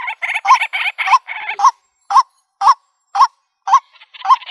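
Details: Rural trapping lure of a white-breasted waterhen: several rapid, rasping croaks run together, then about five separate nasal notes, each rising at the end, spaced about half a second apart.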